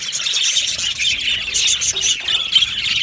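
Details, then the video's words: Crowded aviary of budgerigars: loud, overlapping squawks and rapid chirps from many birds, a constant high chatter without silence. "Budgies birds chirping sounds"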